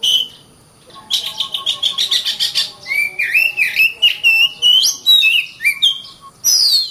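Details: Oriental magpie-robin singing: a rapid burst of repeated buzzy notes, then a varied run of loud whistled phrases sliding up and down, ending on a sharp descending whistle after a short pause.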